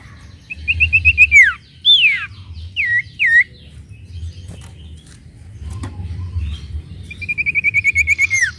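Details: Sooty-headed bulbul song, played to provoke other birds: a rattling trill sliding down, a swooping whistle, two short hooked notes, quiet clicks, then another long rattling trill dropping at the end.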